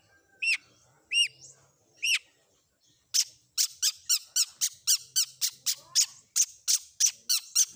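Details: Combination fill-in song of a long-tailed shrike used for training: three spaced arched whistles, then a fast steady series of sharp high notes repeated roughly three times a second.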